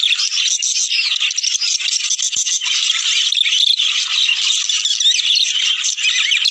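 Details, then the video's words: Budgerigar chatter played to encourage breeding in males and females: a steady wall of rapid, scratchy warbles and chirps from several birds, unbroken throughout. "عندك طيور بادجي لا تتزاوج😔 الحل صوت يحفز الدكور والانات على التزاوج"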